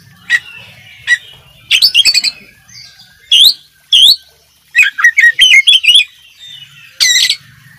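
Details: Oriental magpie-robin, a cage-bird training recording full of varied song phrases: bursts of sharp, high chirps and twisting whistles separated by brief pauses, with a faint low hum beneath.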